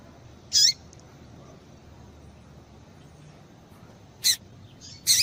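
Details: Female yellow-bellied seedeater call used to stir males into song: an isolated high squeaky note with a downward sweep, a long quiet gap, then two sharp high notes close together near the end.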